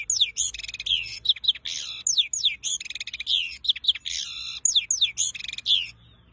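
A goldfinch-canary hybrid sings a fast, unbroken stream of high twitters, sweeping down-slurred whistles and buzzy trills, with no other sounds.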